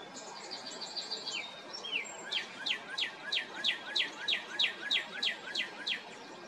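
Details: Singing male northern cardinal, heard day and evening near a house, its song serving territory or courtship; bright downward-slurred whistled notes, each swooping from high to lower pitch, repeated steadily about three times a second.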